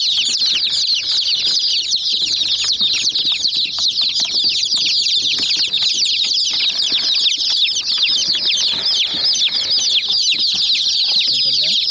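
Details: Hen chicks going after a white mini jeep toy, their many sharp, high-pitched cheeps blending into a steady, busy chatter throughout, with faint pecking and movement sounds below.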